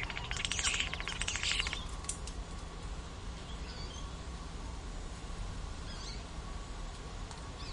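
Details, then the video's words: A starling in noisy Toronto gives a burst of scratchy, clicking chatter and bright whistles, imitating hawk and goldfinch; fainter scattered notes follow over a steady low rumble of city noise. "Starlings Various Calls Imitating Hawk Goldfinch"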